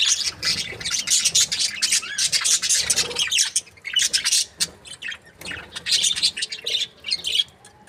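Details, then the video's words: A group of breeding budgerigars keeps up an almost continuous, busy chatter of scratchy high warbles and chirps. The noise thins out briefly near the middle before building again. "Amazing budgies chirping sounds"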